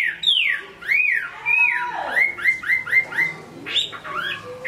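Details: Chinese hwamei, Hai Phong, Vietnam, singing arched, downward-slurred whistles, then a series of short rising-falling notes repeated about twice a second, finishing with brighter varied phrases.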